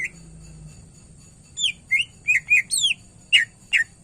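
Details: Greater green leafbird (cucak ijo) in gacor song full of isian phrases, used as a tutor recording for birds that sing little: after a quiet second, a burst of slurred whistles and sharp chips in quick succession, with a low hum behind.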